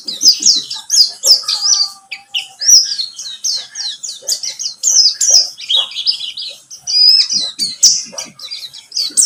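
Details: Buxtomi white-eye singing as a lure to set other white-eyes singing. A continuous, rapid, high-pitched twittering chatter of varied slurred chirps and trills runs without real pauses throughout.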